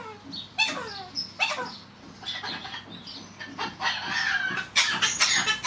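A cockatiel chatters to itself in a quick run of whistled and scratchy syllables, some rising and falling, with no other sounds.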